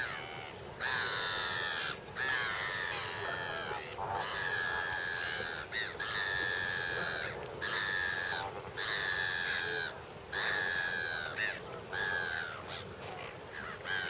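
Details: Lesser flamingo flock at Lake Nakuru, Kenya, filmed in summer 2011: dense, overlapping honking calls, harsh and nasal, in bursts about every second, forming a continuous clamour from many birds.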